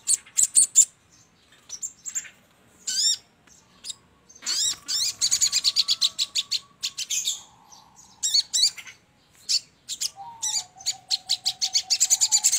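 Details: Sogon (crimson sunbird) sounds for luring: varied high chirps and looping calls in bursts separated by short silences, with long thin whistled tones beneath parts of the sequence.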